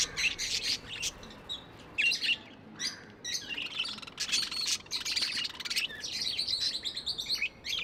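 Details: Pet budgerigars chirping in a lively chorus, dense bursts of scratchy, warbling notes high in pitch, several birds overlapping with short pauses between flurries.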